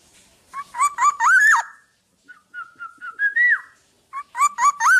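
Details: Black-naped oriole living free of a cage, tame and in full voice: rapid clusters of whistled notes mixed with scratchy, buzzy sounds, then a softer wavering whistled phrase, then another harsh, whistled burst.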